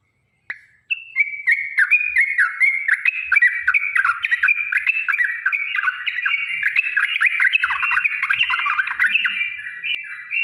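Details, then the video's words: Trucukan, or yellow-vented bulbul, in a sustained 'ropel panjang' fighting song meant to provoke birds into answering. A dense, nonstop run of bubbling, warbled whistles rises and falls for about ten seconds in a quiet background. "trucukan gacor TARUNG ROPEL PANJANG"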